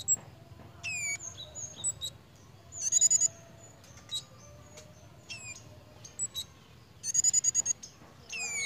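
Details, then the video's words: Pied fantail in breeding condition: high squeaky notes, sharp falling whistles and rapid chattering bursts of short chips, scattered irregularly through the recording. "BURUNG KEMADE / CIGEN SEDANG BIRAHI,LUCU JUGA TINGKAH DAN BUNYINYA"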